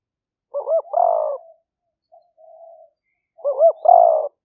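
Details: Spotted dove lure recording in 'liu fueang' voice from rainy-season rice paddies in Roi Et province, Thailand, made by phone: two phrases of quick hooked notes ending in a drawn-out falling coo, with a soft low coo between them.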